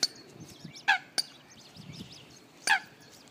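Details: Eurasian coots with their young on a local canal in Britain; three short, sharp, abrupt calls spaced out over a few seconds against a low background hum.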